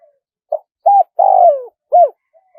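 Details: One full phrase from a spotted dove in the wild-style, one-'kuk' manner: a soft opening note, a flat coo, a drawn-out buzzy coo sliding downward, then an arched closing coo and faint trailing notes, clean and quiet behind.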